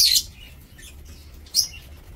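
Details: Captive lovebirds in a breeding aviary, 2 October 2024: two shrill, squeaky shrieks, one at the start and one about 1.5 seconds later, with faint chatter and a low hum between.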